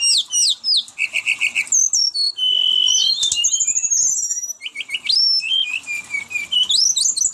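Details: Brown-chested jungle flycatcher pouring out a long rolling song of high chips, rattling trills and a sustained whistled note, followed by rising and falling slurs at a rapid pace.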